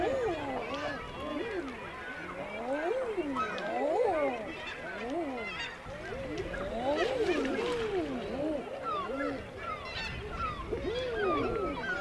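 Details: Male common eiders on nearby water at the Isle of May, Scotland, give soft, crooning ah-hoo calls, each rising then falling, overlapping almost continuously.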